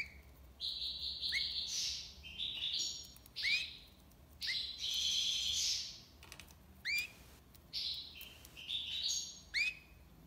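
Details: Long run of tiwawati song from a European goldfinch in Algiers: tinkling buzzy twitters mixed with repeated upward-sweeping notes, delivered in close bursts with brief pauses.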